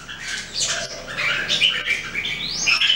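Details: Three red-whiskered bulbuls in daily song training, 2018, pour out dense overlapping chattering and whistled notes, with a rising slurred whistle near the end; busy, continuous and fairly loud throughout.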